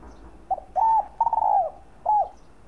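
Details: A single spotted dove coos to excite and lure fellow doves, giving one full phrase: a short note, a paired coo, a long vibrating falling coo, then an arched final coo.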